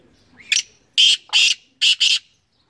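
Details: A Sindhi black francolin gives its loud, grating song: five harsh, rasping notes, a lone note and then two quick pairs, over about two seconds.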